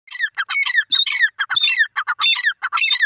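A francolin gives loud, harsh, grating phrases in quick rhythmic bursts, about two or three each second, with no other sounds.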